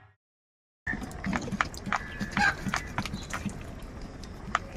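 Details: A large number of crows fighting for food, giving loud harsh caws with nasal bursts from several birds at once over steady outdoor background noise.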